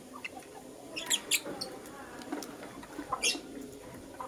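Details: Morning chirping from a lutino lovebird: a few bright, clipped high notes in short bursts, with quiet gaps and a soft background hum.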